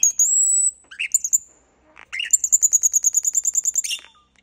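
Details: Slowed-down common starling song: a long high whistle, a few squeaky notes, then a rapid rattling run of about fourteen evenly spaced high clicks ending in a squeal.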